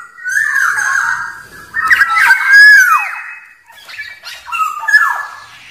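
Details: Wild black-naped oriole song, used to call in and provoke rivals: loud, fluty, slurred whistles in three phrases, rising then falling, mixed with a harsher nasal squawk, heard in a small enclosed space.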